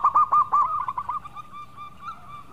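Zebra dove singing a quick run of soft, hollow coos on one pitch, about five a second, fading into quieter drawn-out notes over a faint hum.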